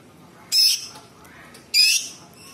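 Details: Cucak cungkok bulbul giving sharp, coarse 'tembakan' notes for a masteran track: two loud, scratchy, high-pitched bursts just over a second apart, each fading briefly after its onset, against soft background hiss.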